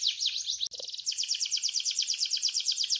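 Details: Canary singing gacor style: a rapid trill of high descending notes, a brief cut with a low thump, then a steady, fast repeated series of bright chirps.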